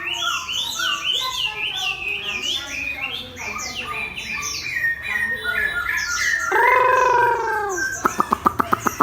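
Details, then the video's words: A Chinese hwamei, caged and set beside a fighting bird, delivers fast, jumbled high notes, then a loud sustained ringing whistle, closing with a rapid series of sharp clicks. "Hoạ mi 498: Xoè không khép (ốp đấu chim chiến)"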